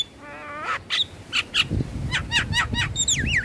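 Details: Javan myna song for stimulating stressed birds that are lazy to sing: a nasal rattling note, then clicks and a quick run of bright rising-and-falling whistles ending in a looping whistle.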